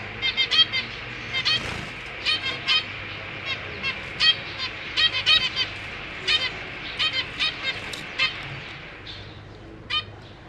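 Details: Zebra finches kept in a cage, a breeding pair with six young, some just out of the nest, 4 May 2023; steady stream of short nasal tooting calls, roughly two or three per second, from several birds.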